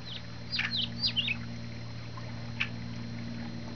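A Yellow-headed blackbird gives a quick burst of five sharp, high, down-slurred chips, then one more a second later, over a steady low engine hum.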